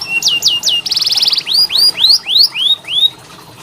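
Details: Canary tutoring song for lazy singers: three falling whistles, a quick buzzy trill, then a run of loud rising slurred notes about three per second.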